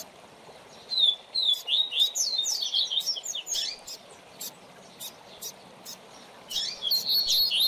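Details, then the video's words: Tutor coleiro (double-collared seedeater) singing for a young bird to learn from: a quick series of high rising and falling whistled notes and chips in clustered phrases, with sharp clicks and a quiet hiss. "Manejo de Fibra do Seu Coleiro ou Papacapim - Coleiro Professor Aprendizado"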